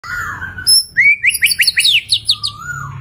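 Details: White-rumped shama, a singing bird in full energetic song, gives a rich, varied phrase: a low warbled start, then a rapid series of bright, high rising whistled notes repeated about every tenth of a second, ending in a soft lower slurred whistle.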